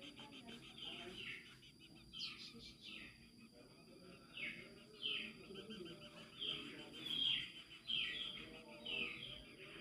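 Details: Very young coucal chick: harsh, buzzy rasping bursts repeated irregularly over a steady background hum, with faint bits of other noise.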